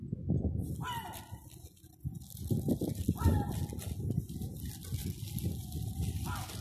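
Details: Seagulls begging for food on Terminus Road, downtown Eastbourne, East Sussex, UK, during lockdown; a few drawn-out downslurred wails spaced a second or two apart, with heavy low street noise and faint voices.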